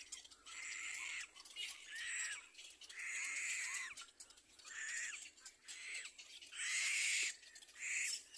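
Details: A young little black cormorant begs as its mother feeds it, giving strong, hoarse wheezing squeals, each about half a second to a second long, repeated with brief gaps between.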